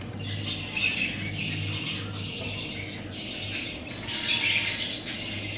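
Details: Budgerigar chicks making continuous harsh, hissing squawks in roughly one-second bursts, one after another, against a steady low background hum.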